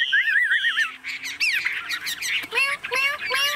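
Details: Caged Chinese hwamei, tame enough for its cage to be carried and shaken, opens with a warbling looped whistle, then mixes rough noisy phrases with short upward-slurred notes.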